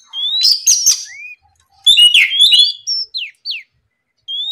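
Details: Oriental magpie-robin singing in the morning to provoke rival birds: a rising whistle, a buzzy rattling passage, then three steep downslurred notes and a final upslurred whistle.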